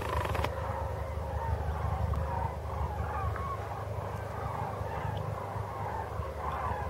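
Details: A flock of common cranes migrating in formation past Maastricht at dusk on 4 March 2013 gives overlapping, rolling trumpeted calls throughout, set against a steady low rumble of wind.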